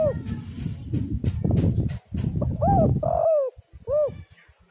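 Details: Spotted dove cooing to draw other doves into song: low rumbling noise at first, then a phrase of hollow arched coos ending in a single clear note.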